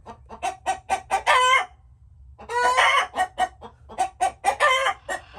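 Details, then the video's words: Chickens cackle: a quick series of short clucks builds to a longer nasal squawk, a silent pause follows, then another squawk and a fresh string of rhythmic clucks. "Chickens making noises"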